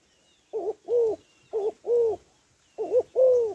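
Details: Female spotted dove cooing to stimulate males, three quick repetitions of a short wavering note followed by a sustained, slightly falling low coo; quiet background.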